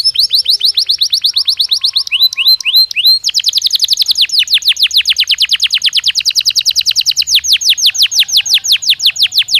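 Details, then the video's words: Belgian canary stimulus song for daily singing practice: quick trilled notes, a few separate downslurred whistles, then a long fast rolling trill of high notes lasting several seconds. "Som de estímulo que faz o canário belga responder com voz mais clara"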